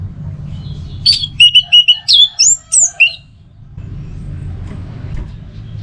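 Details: A burst of teler song from an orange-headed thrush: a rapid series of about eight loud whistled and slurred notes over steady low background rumble.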